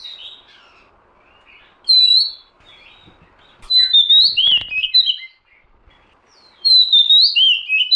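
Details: Oriental magpie-robin lure sound: quiet stretches broken by loud bursts of varied whistled notes, with a few sharp clicks in the middle.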